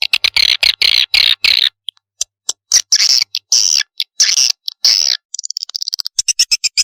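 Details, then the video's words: Swiftlet chick calls for luring birds: harsh buzzy bursts, some long and some clipped, then a fast series of sharp ticking clicks near the end. "suara pikat anak burung walet super"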